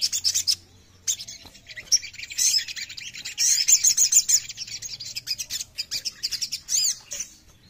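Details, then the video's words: Oriental magpie-robin (sogon) delivering a long, varied song of high, rapid chirps, whistles and trills, with a bright run of repeated clear notes in the middle and sharp clicks throughout. "SOGON MANAPUN LANGSUNG BUNYI DENGAR INI !!"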